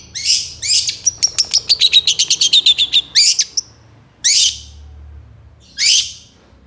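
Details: Long-tailed shrike in strong full song, used as a master for songbirds: harsh buzzy bursts, then a fast even trill of about fourteen clipped notes, then two more rasping buzzes.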